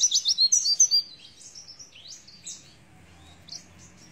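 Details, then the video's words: A quick burst of high, ringing twitter from an Oriental white-eye singing 'nembak isian', followed by a few softer scattered chirps and near quiet. "Pleci nembak isian"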